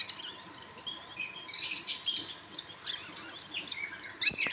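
Budgerigars chattering in high, scratchy chirps and warbles that come in short bursts, with a steady faint hum underneath.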